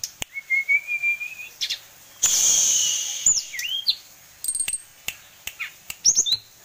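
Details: A kept, tame sulingan gunung sings rising whistles and scattered high chirps over steady background hiss, with a loud burst of noise midway.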